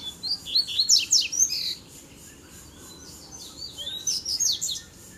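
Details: Male Double-collared seedeaters dueling, three arriving at once. Two fast phrases of high slurred whistles and steep chips are separated by a brief pause.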